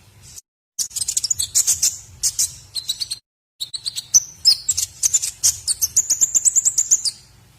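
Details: White-rumped shama singing, recorded as a lesson for other birds: fast trilling series of high, buzzy notes, interrupted by a brief silence, then a long rapid rattle of evenly repeated chips.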